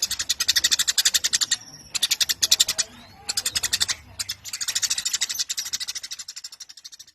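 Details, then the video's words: Rapid, scratchy high chirps from a Eurasian tree sparrow in full voice, delivered in chattering bursts with short pauses and fading at the end. "Burung Gereja Gacor Nyerecet panjang"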